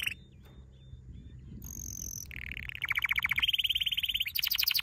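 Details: Training song of a canary: quiet thin whistled notes, then a high clear tone, followed by fast rattling trills that step up in pitch and end in a loud high buzzy roll.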